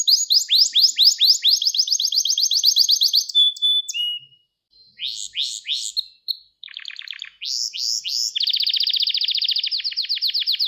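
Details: Gloster canary training song used to stimulate and excite males: a fast series of rising trilled notes, a brief steady whistle and a pause near mid-clip, then buzzy rolls ending in a dense, rapid, even trill.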